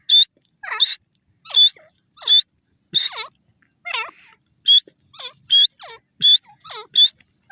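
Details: Grey francolin calling steadily: shrill, ringing high notes repeated roughly every second, each followed by softer, descending, warbled notes, in a continuous bout.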